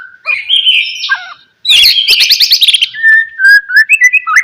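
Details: Lure song of a white-rumped shama meant to get lazy shamas singing: buzzy high warbling, a pause, then a dense burst of rapid trilled notes followed by clear repeated whistles.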